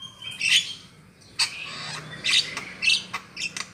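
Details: Trapping lure call of the black-winged myna, jalak kebu: loud grating squawks in separate bursts, with a few harsh chattered notes and brief pauses between them.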